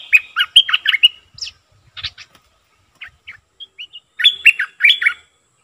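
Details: A captive decoy streak-eared bulbul gives bursts of bright, chattering notes: a quick run of warbled chirps, a few scattered single notes, then another lively phrase; no other sounds intrude.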